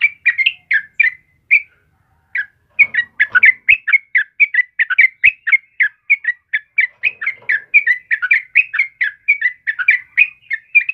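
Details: Yellow-vented bulbul in busy song for prompting caged birds: a few chirps, a short pause, then a long unbroken chatter of rapid overlapping whistled notes that grows denser toward the end.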